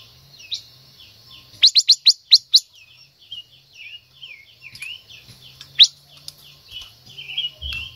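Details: Female silver-eared mesia singing to stimulate a male: a quick volley of five or six sharp, steeply rising notes, then a long sequence of softer downslurred whistles with one more loud chip.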